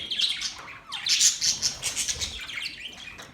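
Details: Australian budgies chattering: a short, steady run of bright, buzzy high twitter with quick rhythmic pulses and a few falling squeaky notes.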